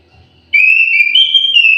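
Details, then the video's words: Orange-headed thrush kept in an aviary giving a melodious song: after a short silence, a clear, sustained whistled phrase that warbles slightly and steps up in pitch midway, then levels off. The background is quiet. "KICAU MERDU BURUNG ANIS MERAH"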